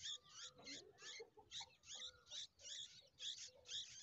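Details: Bulbul; begging call; hungry chicks begging for food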